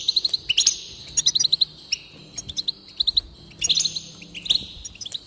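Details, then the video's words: Goldfinch song meant to excite a goldfinch into singing: clusters of quick repeated chips, sometimes four in a row, broken by sharp tinkling trills, in a bright, energetic rhythm. "increase the enthusiasm of the goldfinch and encourage it to song"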